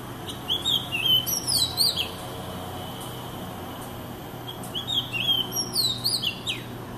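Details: An Oriental magpie-robin described as sad-looking and slow to start singing gives two bursts of varied, sweet whistles and warbled notes, pausing a couple of seconds between phrases, over a faint low hum.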